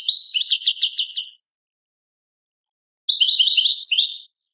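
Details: European goldfinch singing in Tadmait style, Algeria: a rapid metallic trill of evenly repeated notes, silence, then a second phrase of jumbled rising and falling twitters.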